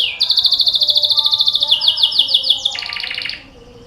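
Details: Canary song played as a lure so that listening canaries start singing at once. It is a loud, rapid rolling trill of repeated bright notes about five per second. The trill drops in pitch partway through, then speeds into a fast buzzy roll before stopping.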